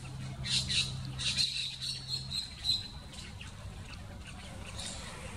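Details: Plain parakeet in Aclimação Park, São Paulo, Brazil, May 2024, giving a series of shrill, high-pitched chirps about once a second over a low steady hum and background noise.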